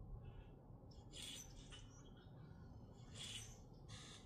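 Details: Grackles recorded in Minnesota: a few harsh, squeaky squawks with a sharp whistled note, in bursts around one second and three seconds, over constant low background rumble.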